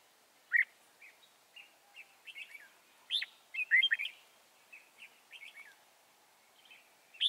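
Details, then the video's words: Lively song of a wild-caught red-whiskered bulbul being trapped at Chùa Hương, 24 March 2018: a busy run of chirpy, warbled whistles and sharp upslurred notes, with loud bursts near the start, middle and end. "Bẫy chào mào bổi Chùa hương chơi tít mù"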